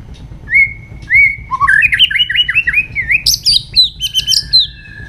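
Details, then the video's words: White-rumped shama giving its morning training song. Spaced single whistles build into a fast, rich stream of looping whistled notes, climbing to sharp high trills and ending on a sustained tone. "chòe lửa hót sáng luyện giọng chòe lửa hót"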